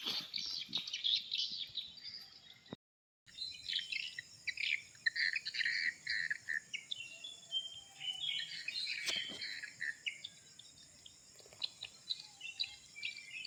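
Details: Birds singing in the morning, layered high chirps, short whistles and twitters from several callers at once, a steady faint high insect-like hiss beneath, brief dropout near three seconds.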